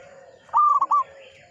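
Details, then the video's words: Brief song phrase of an old, frequently singing local zebra dove: a firm coo with two fast clipped follow-up notes over a soft, steady lower cooing. "PERKUTUT LOKAL GACOR, MANGGUNG"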